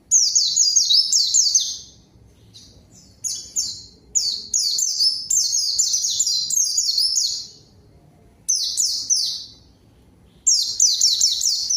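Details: White-eye singing to lure and answer a rival: bursts of high, rapid, descending chirped notes in dense chattering phrases, broken by short pauses of about a second.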